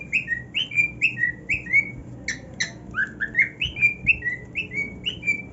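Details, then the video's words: On his new nest, a cockatiel whistles a lively melody of upward-swooping notes at about two per second, with a short burst of harsh chirps midway. "Cockatiel Singing on his New NEST"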